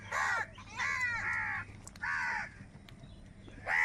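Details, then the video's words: Crows, said to be fighting over food, give four harsh, hoarse caws, each about half a second long. They come in an uneven sequence with short gaps between them, over a low steady background hum. "Crow Sound of Kaka | Clear Crystal Crow Bird Crowing Sounds | Crow Bird live Crowing Sounds"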